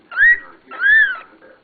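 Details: Pet cockatiel whistling indoors: two clear arching whistled notes, each rising then falling, about half a second apart, with a faint softer sound after.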